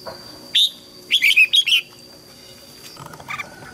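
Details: Red-whiskered bulbul in a training recording: one sharp note, then a rapid cluster of four lilting whistled notes, followed by faint scattered chirps; the song is used to help juveniles learn and spur wild-caught birds to sing.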